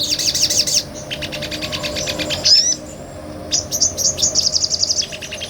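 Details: Nectar-feeding sunbird in ngobra style, used as tutor song: a fast high trill, a run of sharp rhythmic ticking notes and a whistled slur, then after a pause another quick trill.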